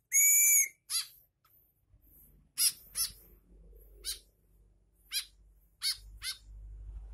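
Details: Tame pet white-breasted woodswallow during routine flight-to-hand training gives short, harsh chirps about once a second after an opening clear whistled tone, over a faint low hum.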